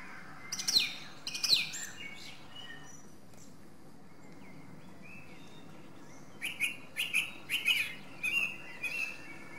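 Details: Song thrush song with long gaps: two sharp rising squeaky notes early, a pause of quiet background, then a run of short chirpy, scratchy notes repeated quickly.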